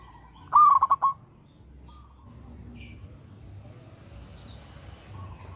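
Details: Local zebra dove giving one stuttering coo phrase, a smooth tone broken into rapid beats. Near silence follows, with faint distant chirps and low background hiss.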